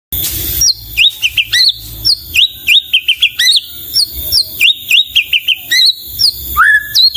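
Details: White-rumped shama singing a lively, varied song of quick whistled notes that sweep up and down, broken into short bursts and separated by brief pauses, with a faint rustle near the start.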